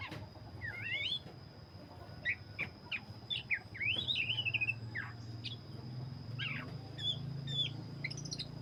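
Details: Black-breasted Oriental magpie-robin singing vigorously: varied whistled phrases with zigzag trills and sharp high notes arriving in bursts, over a low rumble and a steady high tone.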